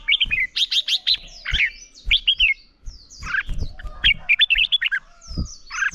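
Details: Red-whiskered bulbul singing its competitive morning song for voice training; quick clusters of clear, wavering whistles and chirpy notes in fast bursts, brief pauses between phrases, soft background knocks.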